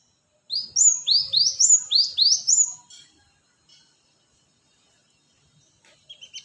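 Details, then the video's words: Cinereous tit lure call, a quick series of about eight high, sharply rising chips lasting two seconds, then quiet with a few faint chirps at the end. "Pancingan Suara pikat Burung gelatik batu"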